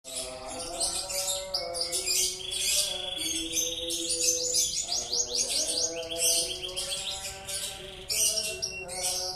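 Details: Canary singing at length, a long unbroken run of bright, rapid trills and buzzy rattles changing every second or so, high-pitched, over steady sustained music tones playing underneath throughout.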